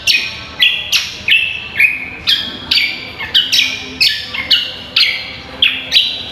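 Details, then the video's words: Repeated ringing whistles of a cucak kombo in a training recording for contest birds: bold notes that fall in pitch, delivered about twice a second over a quiet background. "MASTERAN AMPUH BURUNG CUCAK KOMBO GACOR"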